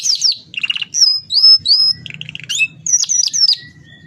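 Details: Canary with a long rolling song, used as a master song for training other canaries: sharp descending whistles, buzzy notes and short trills in varied phrases, over a faint low rumble.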